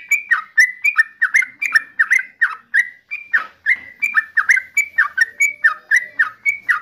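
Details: Rhythmic song of the yellow-vented bulbul, locally trucukan: a long even series of chuckling two-part notes, high whistle then falling gurgle, repeated about three times a second.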